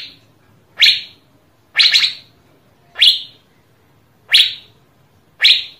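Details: Asian fairy-bluebird in a recording intended to stimulate other birds to sing: five loud downward-swept chips, one a quick double, repeated roughly every second with little else heard.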